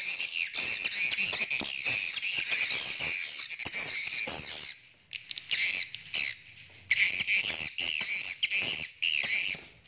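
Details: Swiftlets in courtship, recorded in Indonesia: dense, buzzy chattering twitters in rapid bursts, broken by short pauses and a near-silent gap around five seconds, all high-pitched.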